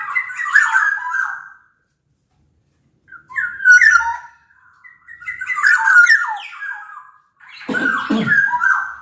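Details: Sumbawa black-naped oriole lure song: raspy, slurred whistled phrases with a long silent gap, ending in a harsh, noisy burst.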